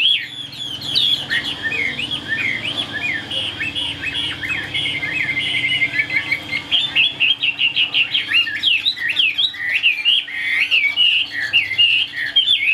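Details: Caged Chinese hwamei singing a long, varied song: a jumble of quick chirps and whistled trills, then a faster stretch of bright, rolling notes in the second half, over a quiet background hum.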